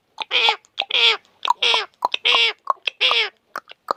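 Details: A pet parrot more than 25 years old, from a Konkan village, gives harsh raspy squawks about once every half second, mixed with sharp clicks and short tonal chirps.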